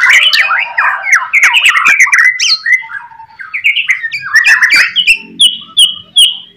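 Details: Master song of a white-rumped shama, played so other shamas respond: dense, varied phrases of loud slurred whistles and chattering notes, easing into separate short high whistled notes repeated near the end.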